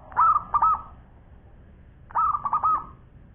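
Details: Local zebra dove singing tirelessly with long phrasing: two cooing phrases about two seconds apart, each a stuttering series of three or four clear, warbling coos on a steady mid pitch, ending in a held note.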